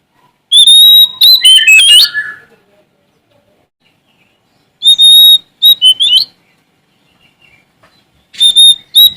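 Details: Kacer, a Sumatran Oriental magpie-robin, singing hard to challenge a rival. Three bursts of loud, piercing whistled notes and fast chattering slurs come roughly every four seconds, with quiet gaps between.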